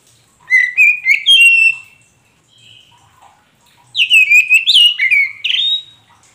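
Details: Kacer poci magpie robin song used as a lure to prompt a silent caged bird to sing and answer back: a burst of slurred, buzzy whistled notes, a softer pause with quiet warbles, then a second rich, rising-falling phrase.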